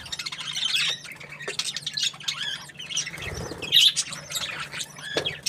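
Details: Happy budgerigar chatter: busy high warbling and squeaky chirps broken by a soft low thump midway, then a sharp bright squeak and renewed rapid chirping.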